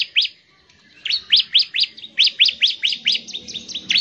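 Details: Bar-winged prinia singing rapidly in the ngebren manner to spur other prinias into song: a lone chirp, a pause, then a steady string of about a dozen sharp, downward-sweeping high notes in quick rhythm.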